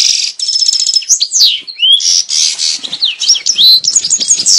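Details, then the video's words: European goldfinch mating song used to stimulate breeding in males and females: dense high twittering with a rapid buzzy trill early, then rising and falling whistled slurs and tinkling notes without a break. "Saka kuşu çiftleşme sesi (saka kızıştırma)sesi"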